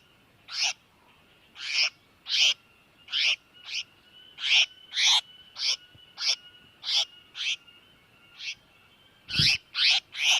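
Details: Tiểu mi đất bird giving distress calls, a recording used as a lure for trapping: harsh, rasping bursts repeated at uneven intervals of about half a second to a second, with a faint steady whine throughout and a low thump near the end.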